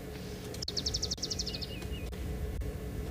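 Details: Oxpeckers near two feeding giraffes on a South African game reserve, on the morning of 28 September 2021, give a quick, high, rattling chatter of about a dozen notes, then a short descending trill, over a steady low rumble.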